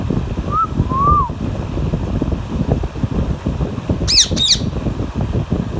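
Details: While eating mango, an Alexandrine parakeet with a ringneck parrot nearby. Two soft arched whistles early, then a pair of sharp, grating squawks after a pause; a steady low drone underneath throughout.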